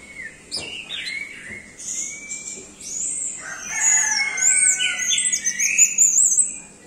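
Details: Orange-headed thrush in energetic 'doyong teler' song: opening whistles and sharp notes build into a loud, dense stream of high warbles, trills and squeaky flourishes before it fades.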